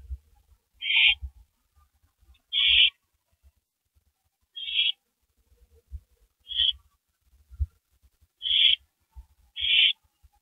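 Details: Two owls on a porch in the dark, early morning of April 18, 2012; six short, hoarse hissing screeches spaced irregularly across about ten seconds, otherwise quiet apart from faint low taps.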